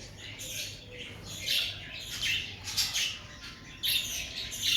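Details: Cockatiels in breeding season giving harsh, screechy calls in short bursts, about one each second, rising and falling, with a steady low hum underneath.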